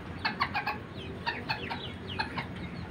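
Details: Serama bantam chickens from Banten, Indonesia, a very small breed; short clucking notes in quick groups of two or three, sharp and slightly nasal, over a low background hum with faint chirps of other birds.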